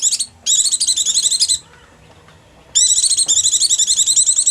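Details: White-eye call used for luring wild birds: high, rapidly pulsed trilling chatter in two bursts, the second longer and steadily throbbing, with a pause of about a second between them.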